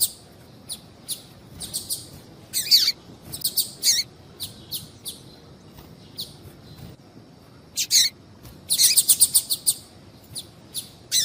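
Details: Female papa-capim (capuchinho seedeater) calling to stimulate males into singing; short high chirps and buzzy bursts in irregular clusters, some in quick rattling runs, over quiet background.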